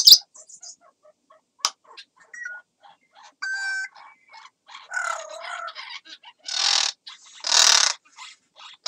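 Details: Pet African grey parrot making a special crow sound: a sharp opening squeak, soft clicks and brief tonal whistles, then harsh, broad, noisy caw-like bursts that grow louder toward the end, with quiet gaps between.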